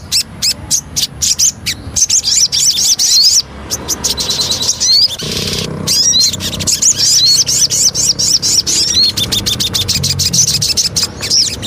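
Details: Lure song of a Javan cochoa, with quick, thin, upward-sweeping whistles and chattery phrases in irregular bursts, separated by short gaps and loud clicking noises, with some low rumbling underneath.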